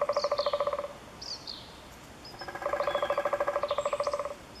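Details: Eurasian three-toed woodpecker recorded at Chvalčov, Czech Republic, in August 2013: two bursts of nasal, buzzy notes repeated in quick even pulses, the second burst longer, with thin high chirps from another bird between them.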